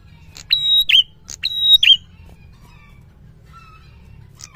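A prinia gives two loud phrases about a second apart, each a sharp chip, a long high steady whistle and a tumbling flourish, with a faint start of another.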